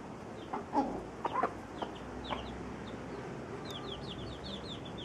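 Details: Domestic hen caring for her chicks while they feed together: a few soft, low clucks early on, then a run of thin, high, downslurred chick peeps repeated quickly, over a constant background hiss.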